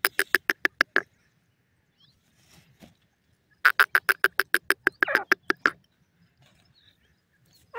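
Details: Francolin, or teetar, calling in two rapid pulsed series of sharp, rattling notes, each roughly a second or two long, separated by a quiet gap with a few soft scattered sounds.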